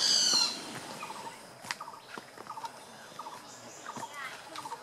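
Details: Great barbet (Psilopogon virens) calling at Phanoen Thung camp, Kaeng Krachan National Park, Phetchaburi, Thailand, 6 April 2014: short, low hollow notes in quick clusters about every second, after a brief shrill squeal, insects ticking faintly behind.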